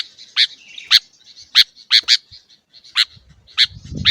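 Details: Sooty-headed bulbul, kutilang, kept in a cage, sounding as a master track for teaching captive birds: isolated sharp high chips every half second or so over a faint steady hiss, with a low rumble at the end.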